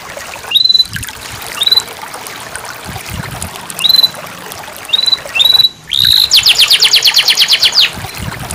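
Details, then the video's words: Canary singing in short upslurred whistled notes spaced about a second apart, closing with a fast, rattling high trill for the last two seconds; played to encourage silent canaries to sing. "terapi kenari macet bunyi"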